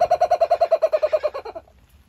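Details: Laughing kookaburra shaking its body while calling at Saitama Children's Zoo, Japan, 15 April 2023: a rapid, evenly spaced run of hollow, low chuckling notes, about eight per second, that fades away after a second and a half.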